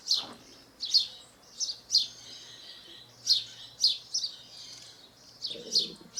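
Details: House sparrow in the wild in Brazil delivering a rapid run of repeated chirps, often paired, about two per second, with brief twittering between and a soft low hum.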